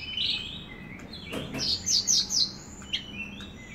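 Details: Energetic Javan bush lark song in gacor style: a high whistle, then a quick series of four bright, slurred chirps, a single sharp note, and a thin trailing whistle.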